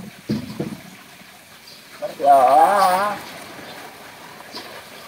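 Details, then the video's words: A common hill myna sings with a short, lower utterance, then a wavering, voice-like call about a second long with rich, rolling tones, over a faint background hiss. "Beo si tiong emas berkicau"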